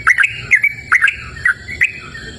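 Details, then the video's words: A yellow-vented bulbul sings in open countryside, giving bright gurgling whistle notes in short groups that dip and rise, about two phrases per second, over soft low background rumble. "Suara Merdu Burung Trucukan Gacor!"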